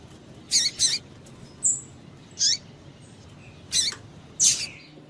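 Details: Female double-collared seedeater calling to stimulate males to sing: short, sharp, high chirps, some in quick pairs, spaced irregularly, with a faint thin whistle between them and quiet background.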